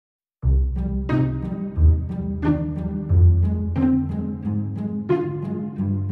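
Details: Bowed cello and bass music with plucked low notes in a slow rhythm; no animal sounds.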